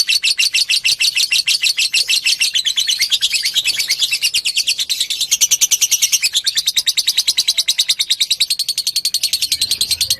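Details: Lovebird fighter song used as a lure to make another lovebird sing: a long, rapid, high-pitched chattering trill of buzzy repeated notes, about three per second, loud and continuous throughout.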